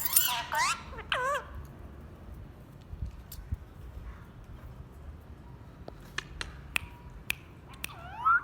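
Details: Pet parrot kept at home, said to talk a lot: a burst of loud, wavering, harmonic squawks in the first second and a half, then quiet with sharp clicks and taps, and a final rising squawk at the end.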